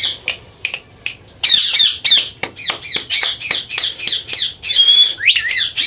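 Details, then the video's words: Indian green ringneck parakeets, pet talking parrots, giving a fast run of harsh squawks and chattering calls, some with a whistled pitch, about three per second, recorded indoors. "IRN Best Talking Parrot || Bolne Wala piyara Tota"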